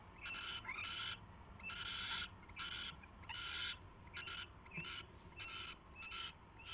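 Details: At an owl nest, 4:21 AM, 24 February 2016, during mouse delivery and feeding; a steady run of coarse, raspy screams about every second, a few shorter and choppier.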